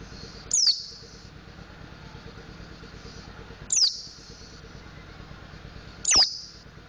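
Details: Pleci montanus, a mountain white-eye, practising ngriwik and ngeplong song: three high, piercing downslurred whistles about three seconds apart, with steady low engine-like rumble behind.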